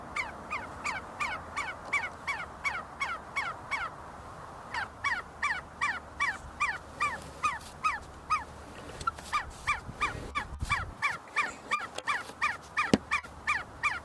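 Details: Several see-see partridges in Kurdistan, searching for food and fighting at the University of Sulaimani, repeat quick downward-slurred notes almost three per second, with a brief pause and some overlapping callers and a thump near the end.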